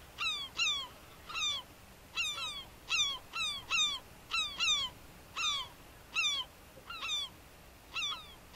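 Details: European herring gull (Larus argentatus argenteus) at Uitkerkse Polder, Belgium, in February 2011: a series of short, harsh, downward-slurred 'kyow' notes, roughly one or two each second, in a quiet background.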